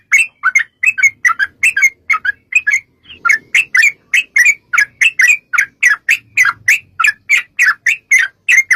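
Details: Sooty-headed bulbul in long rapid 'ropel' song, a lure to set bulbuls singing: brisk chattering phrases of bright, bubbly notes, with a short pause near the middle, then a fast, even run.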